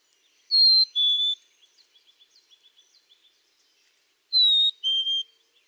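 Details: A Black-capped Chickadee gives its learned two-note fee-bee song twice, a higher note then a lower one, in the form heard across most of its North American range; soft, quick chips fill the gap between songs.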